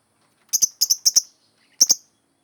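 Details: Lovebird in lively song, used as a model for training other birds: four sharp, very high double chirps, paired clicks repeated about every quarter second, then a pause and one more double chirp.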